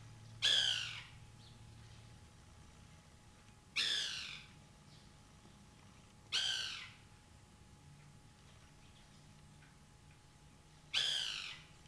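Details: White woodpecker calling while eating banana: four loud, harsh, sweeping notes, the first three about three seconds apart and the last after a longer gap, over a faint low hum.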